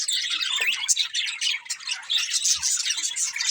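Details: Budgies chattering in a constant overlapping stream of high, raspy chirps and short squawks, busy and unbroken throughout, with a faint low knock toward the end.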